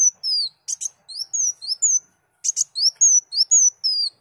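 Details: Song of a sunbird, a recording for training songbirds: bright high slurred whistles in quick succession, twice interrupted by paired harsh chips.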